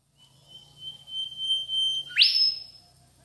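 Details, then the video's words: Mangrove whistler (Pachycephala cinerea) from South-east Asia: one long, steady, pure whistle lasting nearly two seconds, ending in an abrupt, loud upward-sweeping whip note; soft low background hum throughout. "mangrove whistler bird chirping sweetly"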